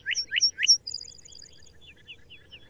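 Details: Male Lark Bunting song ending: three loud rising slurred whistles, then a thin high rapid trill fading into softer downslurred notes.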